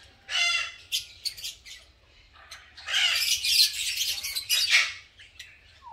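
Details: Harsh screeching bursts from green masked lovebirds during colony breeding and nest making, with a short sharp squawk, scattered clicks, then a longer rasping run of overlapping calls in the second half.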